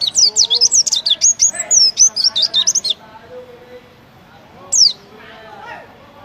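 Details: Oriental white-eye competition song liked by judges, a three-second burst of rapid high twisting chirps, then quiet with faint lower sounds and one more sharp high downsweep.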